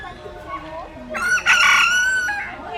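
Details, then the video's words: One of several different roosters crowing: a single harsh, harmonic crow rising and holding through the middle, then trailing off, over faint background murmur and other low sounds. "Diferentes Galos cantando - Galo cantando - Som do galo"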